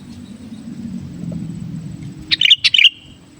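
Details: Sooty-headed bulbul (kutilang), a kept bird, singing lively gacor song used to lure wild bulbuls: a late burst of four or five quick bright chirps with a whistled trailing note, after a quiet stretch with low background rumble.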